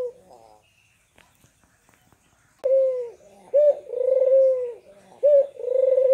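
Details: Spotted dove, used as a lure to get quiet caged doves to start calling: after a quiet opening, strong low coos begin, a short rising note followed by a long steady hum, repeated in a rhythmic series.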